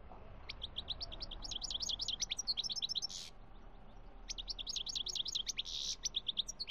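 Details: European goldfinch song recorded in Algeria in 2017, with two long bursts of rapid, high, tinkling chirps and twitters, each several seconds long and separated by a brief pause, over a low rumbling background.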